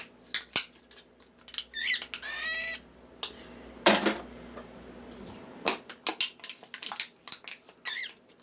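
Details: A cockatiel making funny noises at aluminium cans gives a brief burst of squeaky, warbling chatter among sharp metallic taps and clinks.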